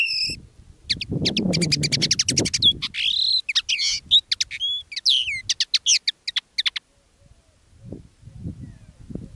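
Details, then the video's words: Common linnet kept as a decoy, singing live: a dense rattling series of rapid chirps and a few rising twangy whistles over about six seconds, then quiet with soft low knocks. "Canto del Pardillo. Dos pájaros de reclamo"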